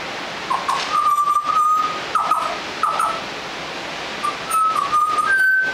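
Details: Young Australian butcherbird practising song with a series of clear level whistles, several in a row at similar pitch, then a pause and more whistled notes ending on a higher tone; clicks and background hiss.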